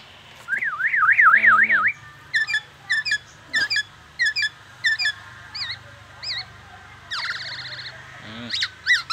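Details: Siren-like rising and falling wails open this black-naped oriole song, which imitates an ambulance siren and oriental magpie-robin, followed by spaced clear, ringing whistled notes and a wavering buzzy phrase.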